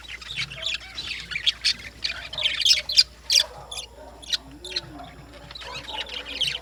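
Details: Several lovebirds in the morning give sharp, piercing chirps and buzzy squawks in quick bursts, thinning out in the second half, with a faint low sliding sound in the background.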